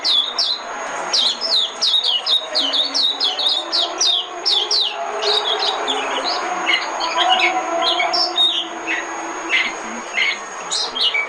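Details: Decoy song of the Oriental white-eye: a long, fast series of high, sharp chirps sliding downward, given in clustered bursts with brief gaps, busy and twittering throughout.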